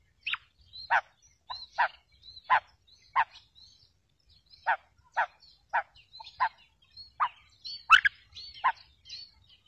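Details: Trapping lure of a female quail calling: short, harsh, clipped notes repeated irregularly, roughly every half second to second, some in quick pairs, with a brief sharp higher note near the end.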